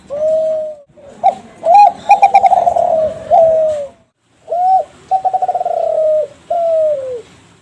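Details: Young Kelantan zebra dove from a champion contest lineage, kept and bred in captivity, giving a lure song meant to set other doves calling. Two phrases, each a hooked coo, then fast staccato bursts running into long, slightly falling cooing notes.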